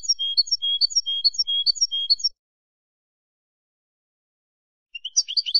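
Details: European goldfinch of field stock singing, recorded for educating captive birds: rapid liquid twittering phrases alternating high and slightly lower notes for about two seconds, a silent gap, then a renewed burst of jumbled chirps.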